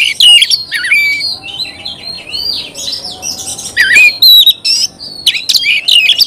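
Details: Oriental magpie-robin singing a mix of sliding whistles, rising and falling sweeps and scratchy notes, fairly continuous with a few louder sharp accents.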